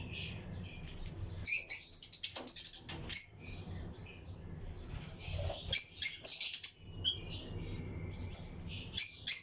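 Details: Colony of lutino lovebird pairs in a breeding aviary, among other birds. A rapid run of sharp, high twittering notes, then more clustered shrill chirps and squeaks, with a low hum beneath.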